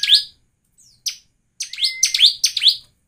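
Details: Lure song of a Bar-winged prinia, used to set other prinias singing: scattered high, downslurred chirps, then a quick run of sharp notes over a brief steady whistle.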